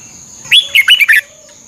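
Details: Single short phrase from a Thai red-whiskered bulbul, used to train caged birds: a rising whistle then four rapid, rich warbled notes within under a second, against a constant thin high-pitched hum.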